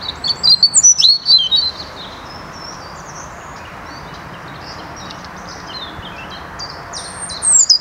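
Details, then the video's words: European robin in the Netherlands, 2023: high, thin warbled phrases of quick twittering and sliding whistled notes, loud bursts at the start and close with quieter fragments between, over a soft steady background hiss. "Roodborstje - Robin"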